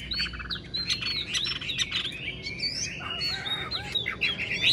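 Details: Caged wild-caught old Chinese hwamei singing amid dense overlapping chatter and whistles, with a noisy busy background.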